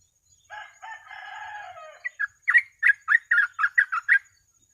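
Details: Sooty-headed bulbul in fast, chatty 'gacor ropel' style, used as a training and lure recording for other birds: a harsh, buzzy stacked phrase, then about nine short, bright, slurred notes in quick succession.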